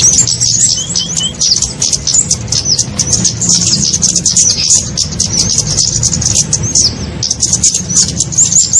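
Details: Lure sound for catching small birds such as flowerpeckers: continuous shrill, high-pitched twittering with quick up-and-down slurred notes packed closely together, over a faint low rumble.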